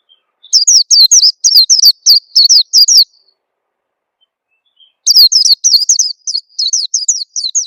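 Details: Lure sound of the Oriental white-eye, meant to get young caught birds singing fast: a run of about eight sharp, high, falling chirps, two seconds of silence, then a longer, busier chirping series.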